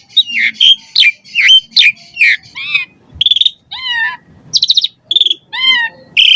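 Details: Asian pied starling in full varied song, used as a lure for captive starlings; a run of rich slurred whistles followed by buzzy harmonic notes, chatters and short squeaky phrases.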